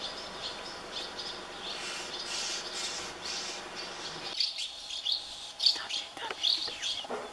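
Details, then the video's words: House martin chicks begging in a colony of thirty nests while parents feed them; noisy first half, then thin high chirps in short bursts with sharp twitters over the last three seconds. "A colony of thirty House martin (Delichon urbicum) nests full of hungry chicks"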